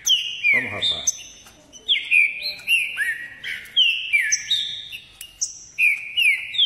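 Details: Green-winged saltator in Caxias, Rio de Janeiro, singing ordem e pressão: a fast run of loud, whistled slurred notes repeated in quick succession. A short low rough sound is heard near the start.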